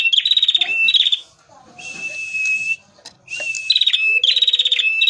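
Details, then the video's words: A male prinia (prenjak merah) sings as a lure. Quick high trilled phrases alternate with flat buzzy tones, and a faint low whistle sounds near the end. "pancingan prenjak merah gacor jantan full materi"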